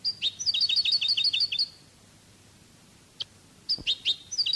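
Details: Cádiz-style song of a European goldfinch: a fast, even series of paired liquid twitter notes lasting over a second, a pause with a single click, then further tinkling phrases.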